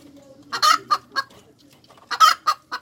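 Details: Hen cackling: two bursts of loud, harsh, rasping notes, each a strong squawk followed by two or three shorter clucks, separated by a quiet pause with low murmuring clucks.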